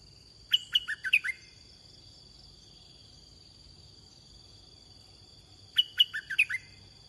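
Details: Red-whiskered bulbul, a large wild bird, during decoy luring: two identical quick phrases of about six chirpy whistled notes, about five seconds apart. A steady high-pitched insect drone continues throughout.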